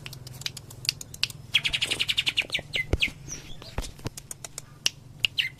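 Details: Cucak ijo, the greater green leafbird, sings a Cililin tembakan song: a fast rattling run of bright notes amid many sharp clicks, with a brief fluttering noise and a low background hum.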